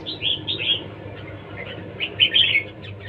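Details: Competition singing by a red-whiskered bulbul: two groups of sharp, bright chirping phrases, the second louder and more tightly packed, with low background hum throughout.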